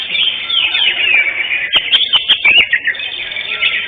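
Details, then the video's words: Greater green leafbird, first-place winner in session 5 of a bird singing competition on 11 October 2025, pours out a dense, continuous high warbling chatter with quick sharp chips toward the middle. "JUARA 1 CUCAK HIJAU JENAR"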